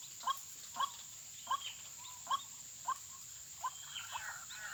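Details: White-breasted waterhen moving about a snare area after hearing a lure recording: short mid-pitched notes repeated roughly every half second to second, with a steady high whine in the background.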